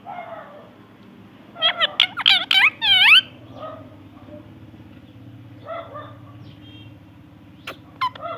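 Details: A parrot mimics human words, reportedly "I love you" and "good morning". One clear phrase of quick, voice-like syllables sounds midway, followed by softer fragments and a couple of brief squeaks against low background noise.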